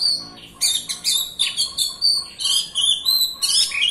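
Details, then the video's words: Lure song from a white-rumped shama, meant to stir a silent bird into song: a lone whistle, then rapid bursts of crisp chirps and clear slurred whistles repeated roughly every half second. "Pancingan Kacer Gacor Rapat, malas bunyi pasti nyaut."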